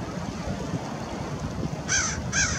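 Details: American oystercatcher at Fort Monroe, Virginia, March 15, 2019, giving two sharp, arched piping notes about half a second apart near the end, after a stretch of wind and surf noise.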